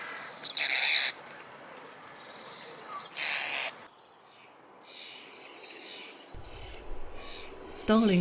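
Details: A common starling in a London park, mimicking crows and magpies: two loud harsh bursts, then a run of varied whistles, clicks and chatter, ending in a rising squeal; faint background hiss.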